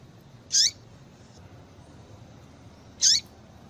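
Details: Female yellow-bellied seedeater call, played to stimulate males to sing: two short, sharp, high chirps about two and a half seconds apart, each ending in a brief rising lower tail, over a quiet background.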